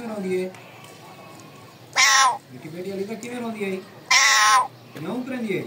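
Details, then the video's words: Two loud, harsh screeches from a pet parrot about two seconds apart, with softer, lower, voice-like wavering sounds before and between them. "My Raw Parrot calling voice"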